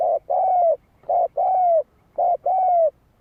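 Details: Spotted dove cooing, played to excite a decoy bird: three rapid pairs of mellow coos, a short note followed by a longer, slightly falling one, repeated about once a second, with a quiet background.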